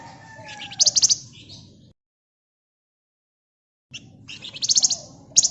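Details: Flamboyan bird in busy, dense song used as a lure, giving quick rattling high trills in short bursts, broken by a stretch of total silence before the trilling resumes.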